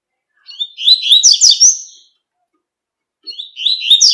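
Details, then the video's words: A double-collared seedeater sings tui-tui song outdoors: a rising run of slurred notes building into a rapid, bright trilling phrase lasting over a second, then a new phrase begins after a pause. "COLEIRO TUI TUI CANTANDO NA NATUREZA"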